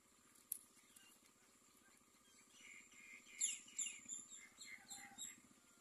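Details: A myna at its nest with babies, facing a snake there, gives harsh, scratchy calls in a rapid run of bursts over the last three seconds, over a steady low mechanical hum.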